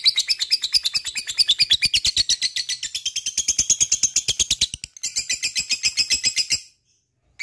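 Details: Lovebird singing a long ngekek, a machine-gun series of harsh chattering notes lasting nearly seven seconds with one tiny break, then stopping abruptly.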